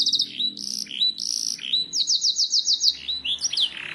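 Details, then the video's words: Training recording of canary song: a few rapid stutters, drawn-out buzzy notes, then a run of evenly repeated falling whistles about three per second, ending in quick slurred chirps. "Suara burung kenari masteran ,langsung nyaut"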